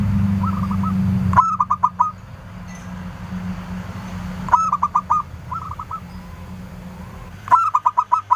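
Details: Clear-voiced local zebra dove singing to lure and provoke answering calls: three loud bursts of rapid rolling coos about three seconds apart, with quieter trilled replies between them and a low rumble at the start.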